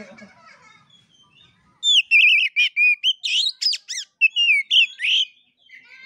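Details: Oriental magpie-robin performing the fighting-play song style called 'gaya kura kura': after faint soft notes, a sudden run of loud bright whistles, wavy trills and sharp chevron notes in quick bursts.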